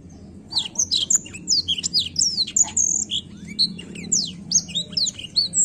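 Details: Black-throated canary in lively rolling song, played to stimulate young birds to sing: fast chains of sharp, high whistled slurs and chirps, densely packed with almost no pauses, over a faint low hum.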